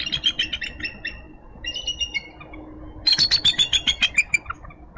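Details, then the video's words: Minnesota nesting eagles vocalizing at dawn in March as the male relieves the frost-covered female from incubating two eggs; thin high whistled notes followed by a fast descending series of loud piping chatters. "MNBound Eagles Morning Greetings"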